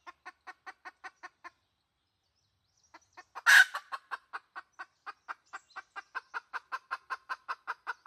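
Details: Red junglefowl hen from a 2020 decoy recording for luring junglefowl: a run of clucks, a pause, a sharp loud squawk, then clucks that quicken and grow louder.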